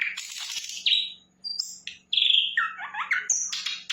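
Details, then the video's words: Energetic sikatan londo flycatcher song of buzzy bursts, a brief pause, then a clear whistled note and quick slurred chirps tumbling downward, with a soft low hum. "Sikatan Londo Gacor"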